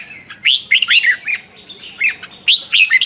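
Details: Red-whiskered bulbul singing a morning training song in the twisting chè style, used as a lure to provoke wild-caught birds: three short bursts of rich, warbled, slurred whistles, each phrase a quick rising-falling flourish, with brief pauses between.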